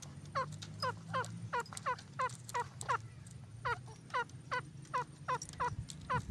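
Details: Purebred partridge repeating a clear, descending, slightly raspy call note roughly three times per second in a steady series, over a faint low hum.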